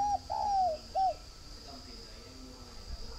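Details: A spotted dove held at a bird farm in Ba Vì district, Hanoi, Vietnam, delivers one clear three-note coo: a brief opening note, a drawn-out sliding croon, then a clipped final note. Quiet follows, with a constant high-pitched hum.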